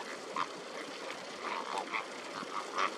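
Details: Greater flamingos giving short nasal honks, some sharper and louder near the end, spaced irregularly amid a continuous low hubbub from other birds.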